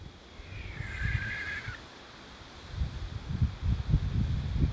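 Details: Barn owl at night in July 2020, recorded from a village in La Segarra, Catalonia, and seen among trees, giving one drawn-out rasping screech of about a second over steady low wind rumble and a few dull thumps.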